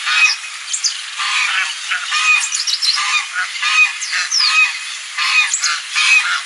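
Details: Geese making noise on a lagoon, giving repeated loud nasal honks about once a second, irregular and overlapping, with some higher squeaky notes mixed in and constant background hiss.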